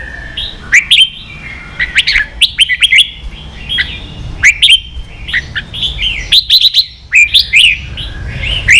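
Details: Red-whiskered bulbul song used for training young birds to sing: bursts of rich, warbled and chattering phrases with sharp clicks between, repeated every second or two.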